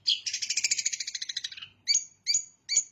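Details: Long-tailed shrike imitating the bar-winged prinia, opening with a fast, rattling trill of high pulses lasting over a second, followed by three separate sharp, ringing chirps.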